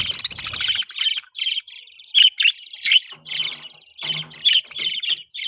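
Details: Continuous scratchy warbling from pet budgies, mixing harsh squawks with occasional clearer whistled notes, steady and loud throughout.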